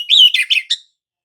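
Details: Oriental magpie-robin song used as a lure to prompt other magpie-robins to sing, described as a rolling, lively singer; a short burst of clear, varied whistled notes, descending then broken into quick chirps, under one second.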